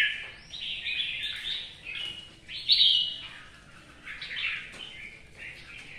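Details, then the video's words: Red-whiskered bulbul singing in the rain: a run of bright, slurred warbling phrases with short whistled notes, loudest near the middle, set against a steady hiss of rain and background noise. "CHÀO MÀO | Trời mưa cho 2e nó xả tí"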